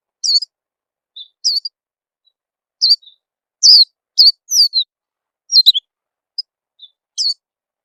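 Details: Oriental white-eye lure sound used to prompt young birds to start singing: around ten sharp, high, falling chirps at irregular intervals, with soft short notes between and no background noise.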